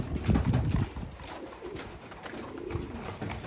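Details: Homing pigeons give low, throaty cooing rumbles in a short burst, then fade to soft murmurs with faint background noise.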